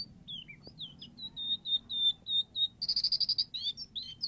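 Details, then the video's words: White-rumped shama song meant to draw a silent bird into singing: a string of clear high whistled notes, then a rapid rattling trill and twisting chirps. "PANCINGAN MURAI BATU AGAR IKUTAN NYAUT"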